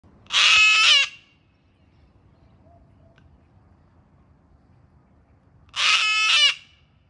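A cockatoo gives two loud, harsh, raspy screams about five seconds apart, each lasting under a second, with quiet in between.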